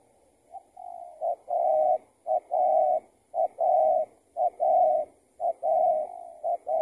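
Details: Spotted dove being lured during trapping, the target a tethered bird escaped from another trapper; low, mellow two-part coos, a short note then a longer drawn-out one, repeated about once a second for seven phrases.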